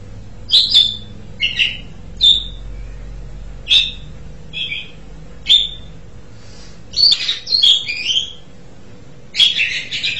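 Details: Asian pied starling uttering short, sharp whistled notes spaced about a second apart. These build into a more rapid, scratchy, chattering phrase of mixed squeaks and slurs.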